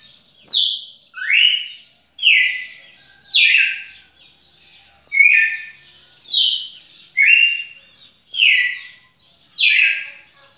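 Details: Red-cowled cardinal singing: loud, clear downslurred whistled phrases sliding from high to lower pitch, repeated roughly once a second, each with a slightly different shape, over a quiet background.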